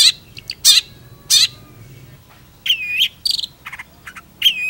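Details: Long-tailed Shrike song mixing loud harsh rasps with arching whistled notes and a quick stuttering triplet, separated by short pauses.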